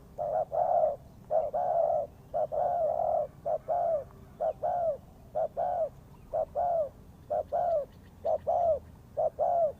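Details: Spotted dove cooing, recorded for use as a trapping lure: paired coos, a short note followed by a longer, slightly falling one, repeated about once a second with steady rhythm over low background hum.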